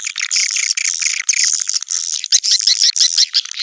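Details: Constant high-pitched twittering from swiftlets, a dense overlapping chatter of buzzy chirps with almost no pauses.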